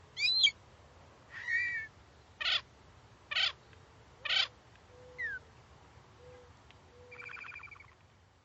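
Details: Phainopepla, a silky-flycatcher that breeds in the Sonoran Desert in late winter and early spring, giving a varied series of short calls: bright harmonic notes, broadband bursts at about one-second intervals, a falling slur and a buzzy closing note.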